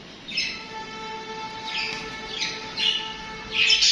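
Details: Chirping budgies: several short warbled chirps spaced about half a second to a second apart, with a faint steady tonal hum underneath.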